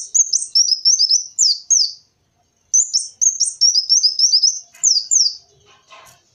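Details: High, sharp descending whistled notes from a kolibri wulung sunbird, delivered in two rapid chains of about eight notes each separated by a short silence. Used for luring this bird.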